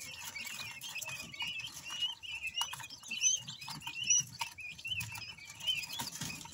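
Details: Quail chicks warming up, giving many high, thin peeping chirps that rise and fall, overlapping irregularly with faint low rustling beneath.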